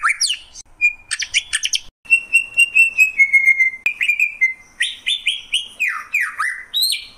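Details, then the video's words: Greater green leafbird (cucak ijo) song mixing sharp chips, a sustained whistled run of descending notes, and a closing series of loud, swooping downslurred whistles. "Cucak ijo, suara kicauan burung yang indah."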